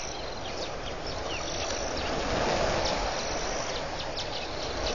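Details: Red-billed quelea in a huge swarm, hundreds or thousands strong, over a waterhole at Pete's Pond in Botswana's Mashatu Game Reserve, 31 October 2015. A continuous, rushing wall of sound swells midway, with scattered faint high chip notes on top.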